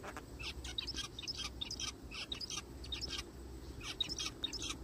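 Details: Zebra finches heard in a forest, giving a rapid, busy series of short nasal honking calls, several per second, forming a continuous chattering over a low steady hum.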